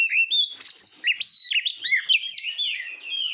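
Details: Short burst of Oriental magpie-robin song for training competition birds, loud overlapping whistles and chirps stepping up and down in pitch.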